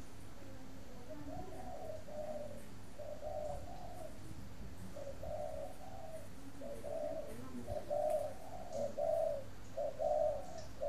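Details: Caged spotted dove from a breeding aviary near Hanoi, Vietnam; a series of paired soft coos, short then longer, repeating roughly every second and a half, over low mechanical hum.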